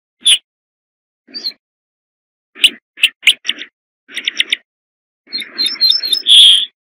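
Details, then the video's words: Corn bunting song building from scattered dry ticks into quicker clusters of clicks, accelerating and ending in a jingling, buzzy rattle like shaken keys; quiet background. "صوت درسة الشعير"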